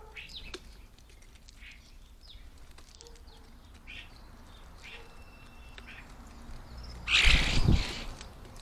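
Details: Lively common starlings at a garden bird table at lunchtime; scattered creaky chatters and short whistled notes, then a loud burst of wing flapping and harsh squawking near the end.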